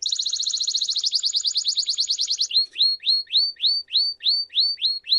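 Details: Timbrado canary song for teaching young birds: a fast buzzy rolling trill lasting over two seconds, then a run of slower rising upslurred notes, roughly three per second, clear and uncluttered.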